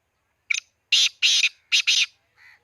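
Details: Black francolin from Khushab giving a loud, harsh grating call: a short sharp note, then two pairs of rasping bursts, ending with a fainter, lower note. No other sounds.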